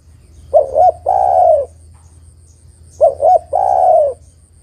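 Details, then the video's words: Female spotted dove calling out to the male, repeating its three-part phrase twice about two and a half seconds apart: two brief hooked coos, then a drawn-out coo falling gently at the close. "TEKUKUR BETINA MEMANGGIL JANTAN ini PALING PANDAI membuat TEKUKUR JANTAN bunyi"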